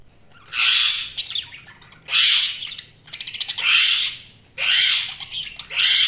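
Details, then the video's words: Budgerigars chirping: loud, harsh, broadband squawks roughly every one and a half seconds, with quick rattling chatter between them. "Budgies Soundsq Chirping sound"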